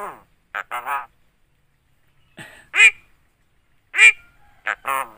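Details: Javan myna imitating speech and coughing: clipped, nasal, word-like syllables in pairs and triplets, with two louder, bright, drawn-out notes spaced about a second apart, set against silence.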